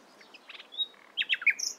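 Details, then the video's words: Brief morning phrase from a nightingale: scattered soft chirps and a thin whistle, then a quick cluster of loud, varied notes. "Nightingale Singing In The Morning"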